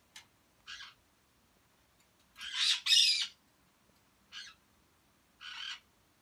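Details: Pet grey parrots, a group of four, two males and two females, born in the Philippines, Thailand and Taiwan, giving short harsh squawks separated by silences, with a louder, longer double squawk in the middle.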